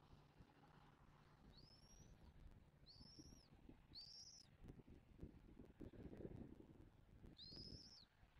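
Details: Wild bald eagles at a Southwest Florida nest, an adult pair feeding their chick, filmed by nest camera on 06/01/2024: four thin, high, arched whistled notes, spaced irregularly over several seconds, over steady low rumbling and rustling.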